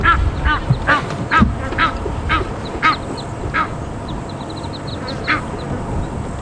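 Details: On an evening safari drive at Djuma Game Reserve on 11 November 2015, with the wind howling, Egyptian geese defending their six goslings chase off two marabou storks. They give harsh, nasal honks about twice a second in an agitated alarm chorus, with faint higher chirps and a low rumble.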